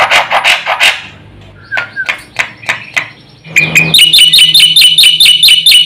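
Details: Black-winged myna singing in full-isian style: rough, noisy bursts and a short whistle open the passage, then a loud, rapid series of bright, repeated ringing notes takes over to the end.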